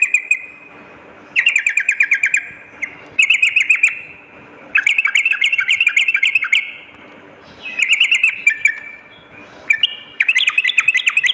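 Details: Sooty-headed bulbul at night, used as training playback for fighter birds: rapid bursts of chattering, bubbly notes stacked with bright high ticks, separated by short pauses; a faint steady low hum underneath.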